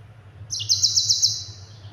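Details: Yellow-fronted canary in full song, used as a master song for training other songbirds: a brief, dense, high trill of rapidly repeated sharp notes lasting under a second, over a steady low hum.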